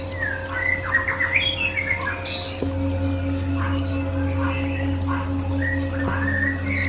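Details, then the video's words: White-rumped shama song, played as therapy for stressed birds: a busy run of short whistled and chirping notes, some sliding, set against a steady low electrical hum. "Audio Therapy Murai Batu"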